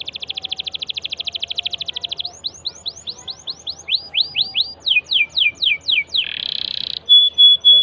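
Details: Canary song meant to prompt a silent canary into singing: a fast buzzy trill, then rows of high downslurred notes at a varying pace, a harsh rasping burst and a short pure whistle.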